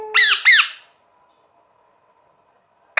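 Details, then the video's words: Pet green parrot giving two sharp, harsh squawks that bend down in pitch, followed by near silence and the start of another squawk at the end. "Parrot Sound Talking Parrot Bolne wala totha"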